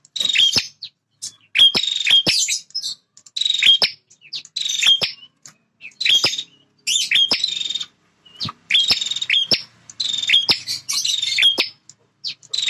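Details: Bar-winged prinia male in full territorial song, a fighter guarding its feeding and nesting ground: rapid series of harsh buzzing phrases, each opened by a crisp click, repeated almost continuously over twelve seconds with brief gaps.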